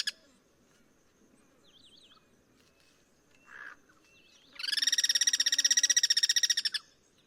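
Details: Free-living Guira cuckoo during cross-singing at a Duranta treetop: quiet faint chirps and a brief muffled note, then a loud two-second stuttering rattle of quick regular pulses that stops abruptly.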